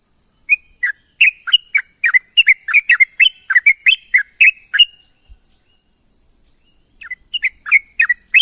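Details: In the morning a sooty-headed bulbul calls companions with a quick burst of clipped, bubbly chirps over four seconds, silence for two, then a shorter run near the end; faint constant hiss.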